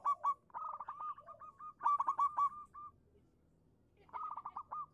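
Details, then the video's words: Local zebra dove, sung as a lure to make other doves sing: loud stuttering bursts of short coo notes fading into softer trailing series, with a gap before a final burst. "suara burung perkutut lokal manggung pancingan cepat nyaut untuk perkutut macet bunyi"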